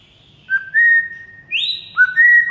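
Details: White-rumped shama training song meant to make a silent shama sing: a few long, pure whistled notes, one sliding sharply upward and holding high, then two shorter whistles dropping lower.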